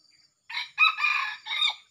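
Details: A wild male red junglefowl, which arrived with its young male offspring, gives a short, harsh crow of three hoarse, ragged bursts with brief breaks between them, clipped off abruptly.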